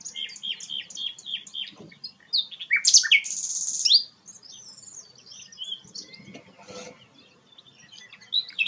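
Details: Gacor singing of a sikatan londo flycatcher: a string of evenly repeated high chirps, then a loud harsh buzzy trill lasting about a second, followed by quieter scattered tweets and a faint low rustle.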